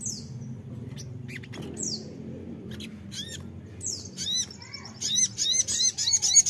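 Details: Crimson sunbird lure song meant to make untrained birds reply: scattered thin, down-slurred high whistles, building at the end into rapid, loud, high twittering.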